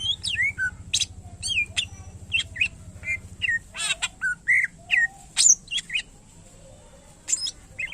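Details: Greater green leafbird (cucak ijo) song of loud, separated notes, about two per second: slurred whistles, harsh bursts and brief chips, irregularly spaced, with a low hum early on.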